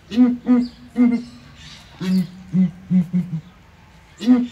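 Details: Southern ground hornbills calling together in a small zoo cage at ARTIS: deep, hollow booming notes, a higher pair and a single answered by a lower run of about five quicker booms, then another higher boom.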